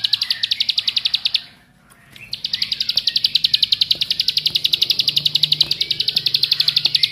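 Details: Bar-winged prinia lure song meant to spur other birds into singing: a long stream of quick, high, clipped notes, briefly broken by a pause of under a second, then resuming steadily with faint clicks beneath.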